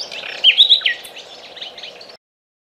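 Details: Morning by the river, a bird gives a brief burst of quick whistled notes amid softer chirping of other birds, ending abruptly.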